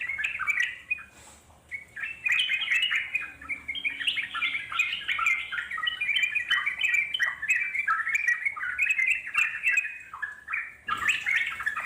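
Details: Trucuk in the wild singing a long, rolling chatter of quick gurgling notes, starting with a short burst, a brief pause, then an unbroken babbling run before a final loud phrase.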